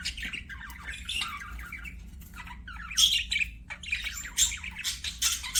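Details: Budgerigars singing while playing: a steady, chattering warble of squeaks, twitters and raspy notes that swells into louder, busier phrases in the second half.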